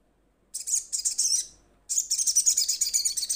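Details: Crimson sunbird calling to its companions, a kept bird coming into full voice: two bursts of very high, rapid, sharp chipping notes, the second longer and denser, with no other sounds.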